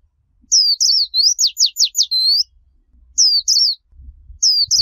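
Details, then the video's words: Japanese white-eye in the líu chòe singing style, a clean file for teaching young birds: a quick phrase of high looping whistles and five fast descending sweeps, followed by two short whistled bursts after a pause. "Luyện Giọng - Ép Giọng Khuyên Líu Choè"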